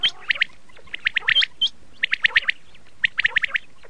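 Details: Red shade common quail, locally called laal batir, giving short clipped whistled notes in tight groups of three or four, each burst repeated about once a second, with a few higher hooked notes between them.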